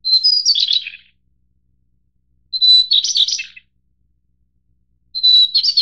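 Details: White-browed shortwing of the Taiwan-endemic subspecies Brachypteryx montana goodfellowi, of Taiwan's mid- to high-elevation mountains, gives three short high phrases about every two and a half seconds, each opening on a thin whistle and breaking into a rapid jumbled twitter.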